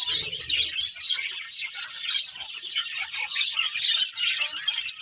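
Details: Budgerigars, a breeding pair, chirping: dense, scratchy high twittering throughout, with a low hum at the very start.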